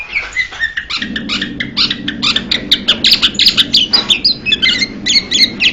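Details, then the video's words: A Blue-winged Leafbird gives a quick, varied run of high chirps and sharp whistled notes, nearly three a second, over a low steady hum. "นกเขียวก้านตองปีกสีฟ้า - Blue-winged Leafbird bird call"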